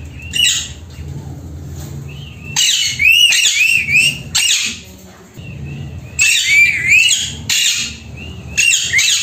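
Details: Pet female Alexandrine parakeet said to talk in Hindi, repeating "Mitthu beta" indoors: bright, wavering, whistle-like syllables in several loud bursts over a steady low background hum and room noise.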